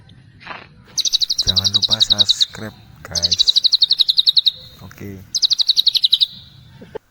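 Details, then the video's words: Three bursts of rapid, high, repeated notes in the tembakan celilin style from a white-rumped shama. A person speaks over the first two bursts. "MURAI BATU TEMBAKAN CELILIN"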